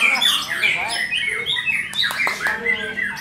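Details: White-rumped shama singing energetically with a full varied repertoire: dense, rich phrases mixing sweet whistles, harsh squawky notes and quick chatters, delivered almost without pause, with sharp clicks near the middle.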